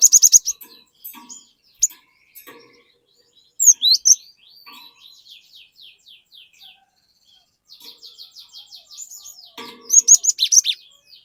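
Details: Glatik batu, the cinereous tit, singing hard to draw untrained birds into song: high whistled bursts, then a long even series of fast buzzy downslurred notes, closing with a loud flurry of piercing whistles.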